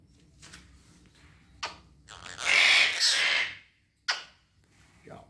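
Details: Red-breasted parakeet kept as a pet, uttering a long, loud, raspy screech framed by brief sharp click-like notes over faint background hiss.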